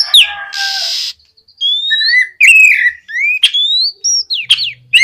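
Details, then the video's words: Oriental magpie-robin singing boldly to prompt other magpie-robins to start singing: a harsh buzzy note, then a series of loud clear whistles, some rising and some dropping, separated by brief gaps. "TERAPI SUARA BURUNG KACER GACOR NGEPLONG BUAT MEMANCING KACER BAHAN AGAR LEKAS BUNYI NYAUT & GACOR!"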